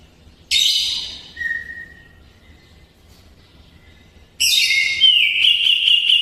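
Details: Greater green leafbird giving its imitation of sooty-headed bulbul song, used to train white-rumped shamas: a loud harsh burst trailing into a level whistle, a pause, then a strong buzzy, rapidly warbling phrase continuing to the end.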